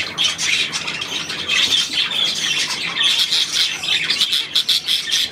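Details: Budgerigars filmed on 9 February 2024: continuous bright, scratchy twittering from several birds, thick and overlapping throughout, with no clear pauses.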